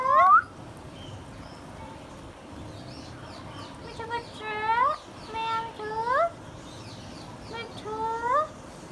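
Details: Hand-tame green Indian ringneck parakeet repeating rising, nasal, voice-like words in four or five short bursts after a loud opening phrase and a quiet pause.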